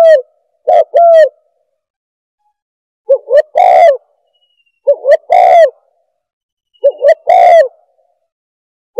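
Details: Spotted dove lure call for attracting doves: three phrases of two or three notes, each a short clipped coo followed by a longer, slightly descending one, separated by roughly two-second silences.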